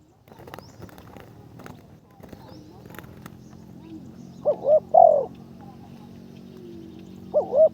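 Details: Spotted dove being trained as a ground decoy, calling karom style after several seconds of clattering and knocking noises: a short rising coo then a longer falling coo, with another short coo starting at the end.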